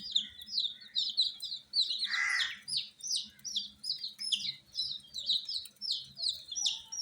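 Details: Many baby chicks, coloured domestic chickens kept with heat provided, peep insistently with sharp, high, downward-slurred notes repeated several times a second, with one short harsh burst in the middle.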